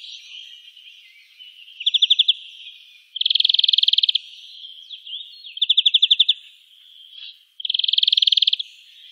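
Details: European greenfinch (Chloris chloris) singing in the town of Wittlich, Germany, in 2018: rapid, ringing trills in short bursts, a quick rattle alternating with a longer, fuller trill, over soft continuous twittering.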